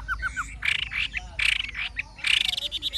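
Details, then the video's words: Old wild-caught Chinese hwamei, caged, forest-voice singer: a few soft whistles, then harsh, grating bursts alternating with rapid trilled notes. "Họa mi già rừng chuẩn giọng rừng hay"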